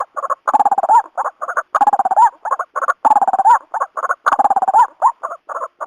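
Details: White-breasted waterhen giving loud, rhythmic pulsed croaking calls, mid-pitched phrases that rise slightly at the end, each repeated roughly every 1.2 seconds with short clipped notes in between; no other sounds heard.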